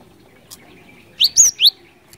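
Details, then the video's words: Cinereous tit, known locally as glatik batu, singing in a lively, prolific way for use as a lure: three quick high whistled notes, slurred and falling, in a short burst over a quiet background. "Suara ASLI Glatik Batu Gacor Ngeeerool Ngeplong, 100% Ampuh Buat Pancingan"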